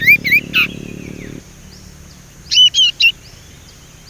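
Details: A young Sumatran leafbird practising its whistle: clusters of quick, clear, high notes that bend up and down, in two bursts separated by a pause, with a low hum fading out early on.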